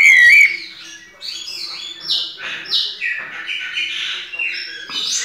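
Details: A White-necked Thrush (sabiá-coleira) sings its "pianado" song, a fast run of varied, sweet warbled phrases opening with a clear whistle, over a faint steady hum.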